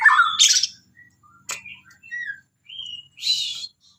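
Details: White-rumped shama singing: a varied string of short whistled notes and harsh buzzy bursts, a sharp click near the middle, clean upward and level whistles, spaced by brief pauses.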